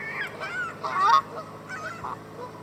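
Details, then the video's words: Canada goose up close by a lake in Southern Ontario, Canada: a few soft nasal honks, one louder call in the middle, over a low steady background hum. "Canadian Goose Honking"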